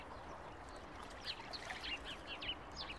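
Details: Ducklings in July giving rapid high peeps, several per second, short slurred notes overlapping in the second half above a low, noisy background.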